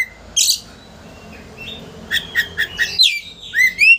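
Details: Oriental magpie-robin singing to rile a rival into spreading its tail: scattered high chirps, then a quicker run of clipped notes and rising whistles over a low background hum.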